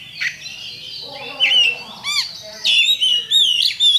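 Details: Champion Oriental magpie-robin (kacer) lure sound to provoke fighting: harsh, squawky bursts alternating with sharp whistled notes and a few downslurred tones, separated by short gaps.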